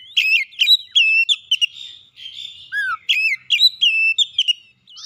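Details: Oriental magpie-robin, song aimed at provoking a rival: rapid loud whistled phrases with sharp upward flicks, repeated in two bursts, with a low slurred whistle between them.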